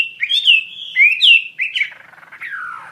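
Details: Chinese hwamei song in loud, clear whistled phrases: sliding notes, rising and falling, with a few buzzy bursts, fading into a lower descending warble near the end.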